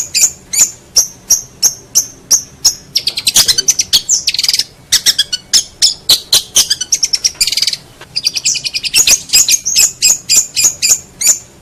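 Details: Long-tailed shrike tutoring recording for songbird contests: spaced high whistled notes open, giving way to long stretches of dense, harsh chattering and rapid chirps, then more spaced notes.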